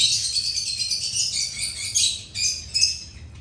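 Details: Feeding birds chatter continuously in high, dense twittering, with a few sharper chirps standing out toward the end.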